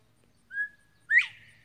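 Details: Bobwhite quail singing while perched on a pile of dead trees and treetops; a steady whistled note, a brief pause, then a strong upward-sweeping whistle, against near-silent surroundings.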